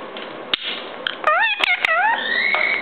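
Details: A rescued pet Moluccan cockatoo, of a kind that screams loudly at least twice daily, giving wavering, warbling calls that bend up and down, then a long rising drawn-out note, with sharp knocks and taps indoors.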